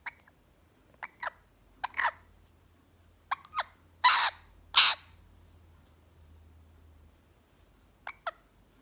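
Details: Quaker parrot, a pet bird acting jealous of a lorikeet, gives short harsh squawks in scattered pairs, two louder raspy screeches near the middle, then a final quick pair of calls in a quiet room.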